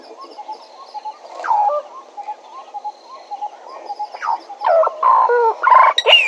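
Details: At Djuma, soft, evenly spaced short notes lead into a Bennett's woodpecker's louder nasal calls, building to a chattering series of buzzy notes and a final high, squealing descending phrase. Insect hum in the background.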